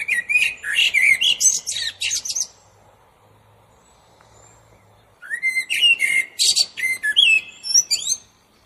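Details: Common blackbird singing two phrases about three seconds apart. Each opens with low, fluted whistles, then breaks into rapid, high, squeaky twittering. A faint low hum sits underneath.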